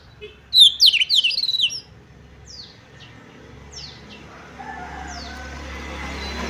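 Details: Female Oriental magpie-robin sounds used to goad males: a quick burst of sharp, high chirps and twittering lasting about a second, then a few scattered downslurred notes fading into low background noise.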